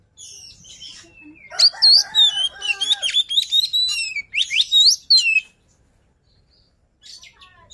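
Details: Luring song from a white-rumped shama, a loud tumbling series of whistled and buzzy notes with fast rising sweeps for about four seconds, then near silence and a few faint notes.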